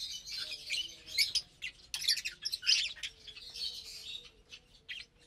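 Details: Morning feeding of a group of lovebirds, 30 April 2022, with vegetables and grains: harsh, buzzy squawks and sharp chirps come in loud clusters, then fade into softer scattered twitters.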